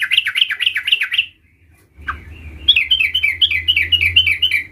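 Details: A sooty-headed bulbul practises its rolling ngerol song: a rapid rippling run of bright warbled notes, a brief gap with one soft slurred note, then a longer, steady rolling series. A low background rumble is present.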